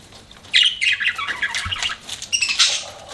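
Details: Pet budgerigars giving a quick run of harsh, squawky chirps and chattering notes, starting after half a second and continuing in uneven bursts.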